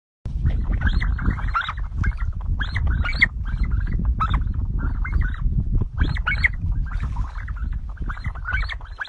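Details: A flock of sandgrouse calls while drinking water: bursts of throaty, chuckling notes repeated every second or so, over a heavy low rumble of wind.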